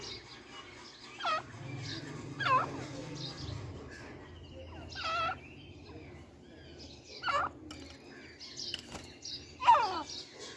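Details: Grey francolin (teetar) calling while with its chicks. Five loud, harsh, tonal bursts arrive at uneven intervals of roughly two seconds. Each has a rising-then-falling shape and strong upper harmonics, set over a steady low hum.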